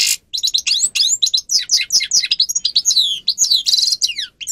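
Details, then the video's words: High, fast goldfinch song from a grey-crowned goldfinch, meant for teaching captive birds: continuous tumbling twitters and sweeping slurred notes with a brief buzzy rattle near the end, almost without pause. "(Carduelis caniceps) Goldfinch song"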